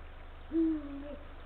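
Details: Male Eurasian eagle-owl visiting the nest on 17 February 2023, 16:45, late afternoon, calling to his mate. One resonant low note that lifts slightly at the start and then glides gently down, lasting over half a second. Faint hum behind.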